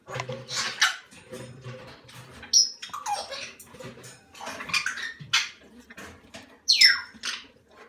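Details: Salmon-crested cockatoo chicks under one month old, hand-reared, producing hissing, rasping calls mixed with brief whistled squeaks and handling noises in a small room.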